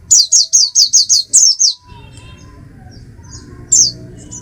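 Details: An Oriental white-eye (Zosterops palpebrosus) sings a rapid series of about seven high, thin chirping notes, then a pause and one more bright note.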